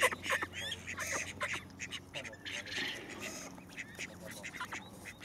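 Call ducks give rapid, loud, high-pitched nasal quacks in quick bursts, several birds overlapping, with a human voice faintly in the background.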